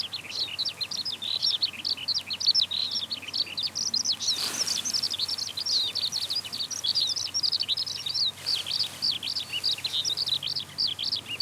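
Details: Ascending Eurasian skylark, song flight over open country in Tohoku or Hokkaido, giving an unbroken high warbling torrent of short chirps, with a soft whoosh of wind around the middle.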